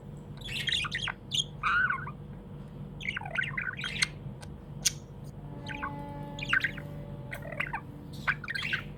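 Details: Happy pet budgerigar chirping: scratchy warbled chatter with short squawks and sharp clicks, in bursts over steady low room hum.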